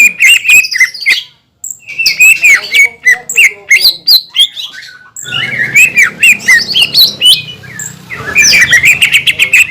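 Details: Green leafbird song intended to make other green leafbirds agitated: quick bursts of squawky whistles and chirps, about three or four per second, with a brief pause, then a background hum joining.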